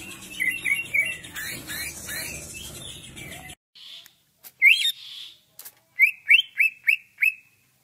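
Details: Greater green leafbird in ngentrok style, a reference for training birds: muddled chattering at first, then after silence a few sharp upslurred notes and a run of five quick clipped whistles.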